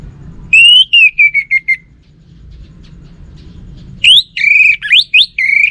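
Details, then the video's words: Orange-headed thrush song in two loud whistled phrases: a clear note sliding down through a stuttering run of repeated notes, then after a pause a jumble of rising and falling whistles, over low background rumble. "Burung ANIS MERAH Lansung Nyaut Gacor Tanpa Henti"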